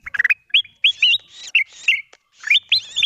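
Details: Kutilang emas bulbul calling in a lure recording for attracting wild birds: sharp upslurred whistled notes and short trills in separate bursts with silent gaps between them.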